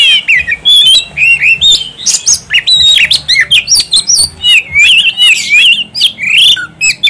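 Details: White-rumped shama singing loudly and continuously: a rich, varied stream of whistled slurs, squeaks and sharp chirps, rising and falling without pause, with clicking notes mixed in and faint low background hum.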